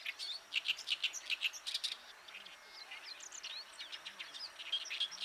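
An Oriental reed warbler sings a rapid, scratchy chatter of harsh repeated chirps and creaky notes, delivered in quick bursts with brief pauses between.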